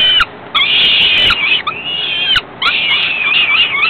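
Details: Begging from falcon chicks being fed by the female a few hours after ringing: long, loud, harsh screaming bouts with a wavering edge, broken by two short silences and occasional clicks.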